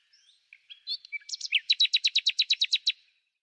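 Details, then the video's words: Common nightingale singing in spring: a few soft, varied high whistles and a short drawn-out note, then a loud burst of about ten rapid, evenly repeated sharp notes, over a quiet background. "El Ruiseñor común - El canto más bello de la naturaleza"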